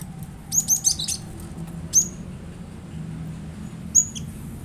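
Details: Cinereous tit singing, used to prompt a kept bird to sing along: a fast run of four high whistled notes, a pause, a single bright note, then a last clear whistle, with constant low background hum.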